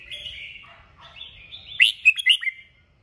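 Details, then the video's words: Red-whiskered bulbul, 'kích bổi' song used to stimulate singing: a steady thin warble that builds into four punchy, ringing whistled notes in quick succession, then stops cleanly. "Chào mào kích bổi cực mạnh. Nghe là hót 100%"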